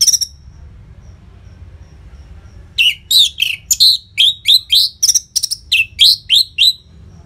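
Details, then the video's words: Orange-headed thrush delivering rapid, closely spaced song for prompting caged birds: a brief note, a pause, then a steady run of about fifteen loud, sharp, falling whistled notes. "Pancingan & Masteran ANIS MERAH Gacor Jeda Rapet Suara Keras || Burung Macet Pasti Ikutan Bunyi"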